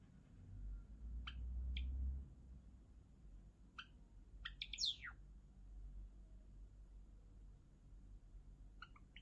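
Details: Java sparrow singing, giving scattered sharp chirps and one fast, buzzy, descending phrase near the middle, over a low background hum.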